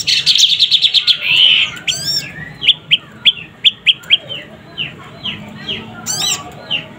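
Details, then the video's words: Juvenile prinia (prenjak pyeng) opens with a fast buzzy rattle, then spaced, rising chirps about every third of a second, plus a few high sweeping notes. "Suara anakan burung prenjak lumut"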